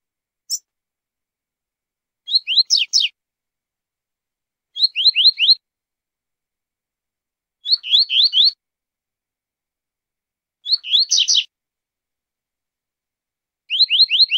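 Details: Double-collared seedeater singing the tui-tui zel-zel song type: short bursts of three or four quick, downslurred whistled notes, repeated about every three seconds, clean and high-pitched with silence between phrases.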